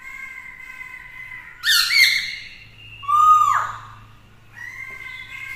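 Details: Black-throated laughingthrush in song meant to stir rivals, a female bird alongside: a steady whistled tone, a harsh squawking burst, a falling slurred whistle, then the steady tone again over a faint low hum.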